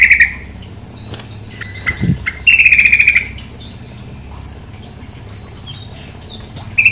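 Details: Sooty-headed bulbul, a female, calling beside running water. Short sharp chirps come in scattered bursts, including one longer buzzy, pulsing phrase, with gaps of quiet water noise between them.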